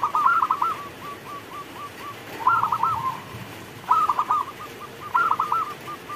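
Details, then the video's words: Local zebra dove (perkutut) cooing during rain, its song used to prompt other doves to sing: four rolling, bubbling coo phrases, each followed by a trail of short repeated beats, against a steady rain hiss. "Perkutut lokal gacor Saat Turun Hujan"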